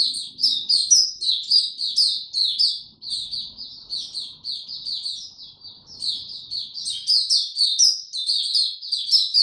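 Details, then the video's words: White-eye in song, 26 March 2022, weather warm and very humid. Steady stream of thin, twittering, rising and falling notes, roughly two a second, with a brief quieter stretch midway and faint low noise early on. "Mata Puteh Hercules buka sing warm n very humid weather"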